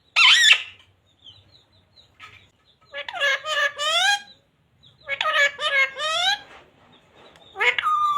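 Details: Talking pet parrot repeating the phrase "radhe radhe": a few harmonic, voice-like bursts with curving, wavering pitch, spaced by quiet pauses, plus a short high squeak at the start and end.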